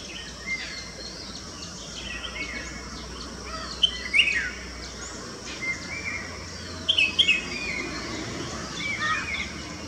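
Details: Red-whiskered bulbul calling: short bright chirpy bursts of a few quick notes near 4 and 7 seconds, with fainter chirps from other birds and steady environmental hiss throughout.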